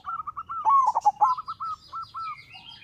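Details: Local zebra dove in full song, used as a lure for other doves: soft regular coo notes framing one loud, rolling stuttered phrase, with a brief high whistle from another bird near the end.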